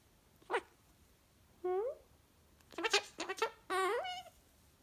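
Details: A pet Goffin's cockatoo, called a good boy, gives a few short, nasal, voice-like calls, some rising and bending in pitch, the later ones running together in quick bursts, in a quiet room.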